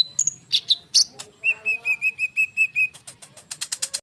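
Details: Konin bird singing densely as a lure for sunbirds: a few high chirps, then a steady run of eight clear whistled notes, ending in fast buzzy bursts.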